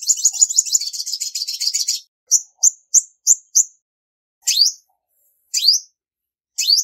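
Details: A female olive-backed sunbird, recorded in Vietnam and said to call to rouse males, gives a fast, high buzzy trill for two seconds, then a few sharp high chips and three thin downslurred notes.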